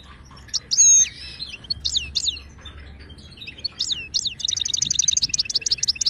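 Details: Moroccan goldfinch, wild Ouidani style, tutoring song for silent caged birds: sharp slurred whistles and downward chirps, then a fast, even metallic trill of repeated notes filling the last second and a half.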